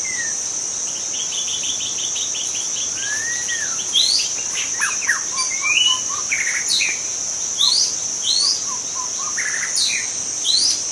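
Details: Forest white-rumped shama, wild, singing a long sequence of fast repeated notes, looping whistles and sharp high sweeps, with softer notes between, over a continuous insect whine.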